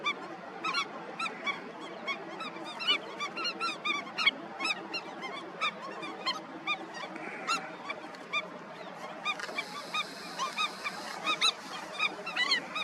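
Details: Busy Indian skimmer colony with a long run of short nasal barks and yelps, many birds calling in quick irregular bursts, louder notes close by, over a persistent hiss.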